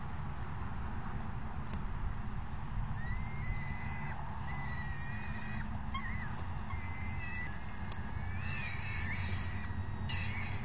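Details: Hungry falcon young crying for food as a parent delivers dinner and the mother feeds them, 3 June 2018; drawn-out whistled squeals, some bending upward, in repeated bursts growing busier toward the end, with constant low rumble beneath.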